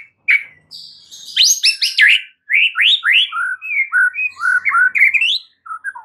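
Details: White-rumped shama song meant to cure a stressed bird and set it singing vigorously: a rich, varied run of rising and falling whistled phrases, some upslurred, some dropping low, almost continuous for six seconds.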